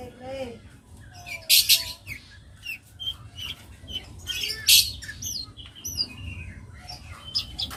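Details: Young long-tailed shrike singing a varied, busy song of the full-fill style: sharp high chirps, short slurred whistles, and buzzy noisy bursts, with quick upward and downward sweeps scattered irregularly; a low hum underneath.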